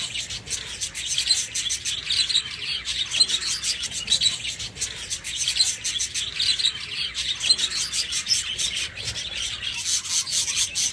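Budgerigars chatter nonstop in a dense stream of high, scratchy chirps and warbles.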